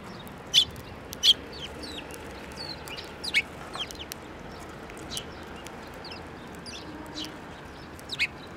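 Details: Sparrows coming to be fed beside a field of blooming rapeseed at a Tenmangu shrine, 9 February 2024. Short, sharp chirps sound at irregular intervals. A few are loud and close, and fainter twitters fill the gaps.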